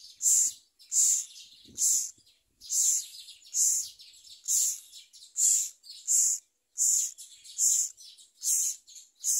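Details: Myna nestling being fed a large blue caterpillar by its parent; short harsh raspy chirps repeated steadily about every half to three-quarters of a second, with faint low bumps in the background.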